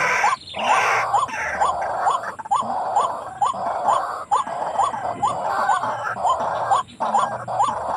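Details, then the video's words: White-breasted waterhen call used as a lure for trapping near village housing: hooked, upslurred notes repeated roughly once a second over a steady broad hiss, with occasional clicks. "Racik burung ruak ruak galak"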